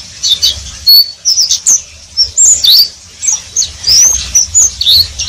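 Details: Pleci, the Oriental white-eye, performing riwik-style song: bright, high-pitched twittering with sharp chirps and short slurred whistles, delivered in quick irregular bursts separated by brief gaps.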